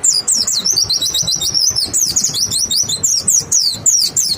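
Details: Clear white-eye lure song meant to make other white-eyes sing back: a dense, nonstop stream of very high, quick twittering chirps and zigzag trills, loud and bright throughout.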